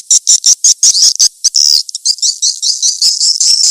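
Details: Edible-nest swiftlet call used to attract swiftlets: quick high buzzy chirps at first, then merging into a nearly continuous, wavering high twitter.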